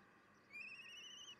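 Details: At a nest on 24 June 2021 around 10:56, a young common kestrel that has fledged and is returning to the nest for food gives one drawn-out, high, whining note lasting nearly a second and rising slightly at the end, over a faint hiss.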